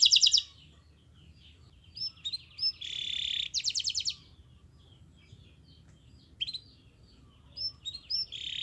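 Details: Canary master song for training others to sing: brief high trills and buzzy bursts scattered between quieter gaps with short chirps.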